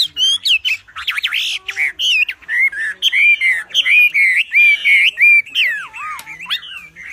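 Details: Wambi, a loud song for master training: busy run of whistled notes, some level and ringing, others sweeping down, strung together almost without pause.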